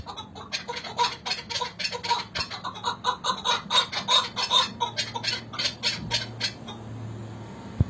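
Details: Repeated hoarse chuk-chuk clucking from chukar partridges of Hakkari and Dersim, a fairly even series lasting about six seconds before fading out, with a steady low hum in the background and a click near the end.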